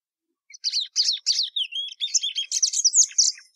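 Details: Patativa Verdadeira singing a continuous, lively phrase of high buzzy chirps mixed with clear whistled slurs, growing slightly louder toward the end.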